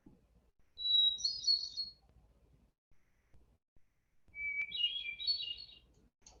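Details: Hermit Thrush, a Vermont forest bird, singing two phrases, each opening with one long, pure solitary whistled note, then a fluty, echoing tumble of higher notes from its multiple voice boxes at once; the second phrase starts lower.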